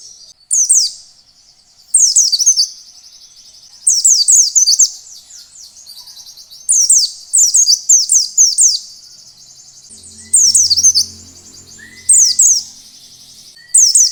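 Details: Oriental white-eye giving a wild-style song that triggers other white-eyes to sing: about seven sharp bursts of rapid downslurred high notes, spaced one to two seconds apart, over a faint trill; brief low hum and soft whistles near the end.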